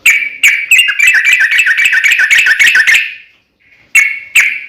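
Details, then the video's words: Sooty-headed bulbul singing in fighting style (tarung) with rapid uplik ropel delivery: a fast, dense run of chattering, bubbly whistles for about three seconds, a brief gap, then two sharp notes. Clean and close. "KICAU SUARA trucukan gacor TARUNG UPLIK ROPEL TAJAM"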